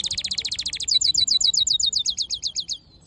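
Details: Hooded siskin mule, black-hooded and yellow, delivers a rapid, even trill of high buzzy notes that shifts into slightly slower, sweeping repeated chirps before stopping abruptly, then near silence.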